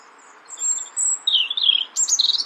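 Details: Nominate-race European robin in Brussels, Belgium, March 2014: a long, very high, pure whistle, a second one, then a lower wavering trill and a burst of sharp, high, scratchy notes.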